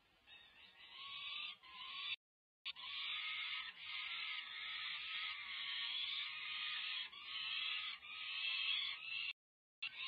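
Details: Feeding-time begging by peregrine falcon chicks over five weeks old, UC Berkeley nest cam, 18 May 2023: long grating screams running almost nonstop, broken by two brief silent gaps.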